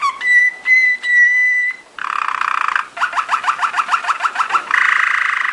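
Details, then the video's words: Belgian Waterslager canary, a song canary, giving training song: clear whistled notes near one pitch, then a bubbly warbled passage, a run of quick repeated falling water-drop notes, and a rolling trill at the end. "Belgian Waterslager / Belgian Malinois Waterslager training song vol. 2"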